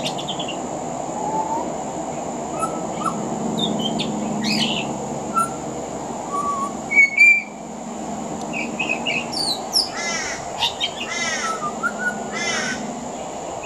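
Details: A pied butcherbird singing on a veranda in Australia strings together varied whistles, chirps and chattering phrases, mimicking other Australian birds, with a steady high insect-like hum underneath.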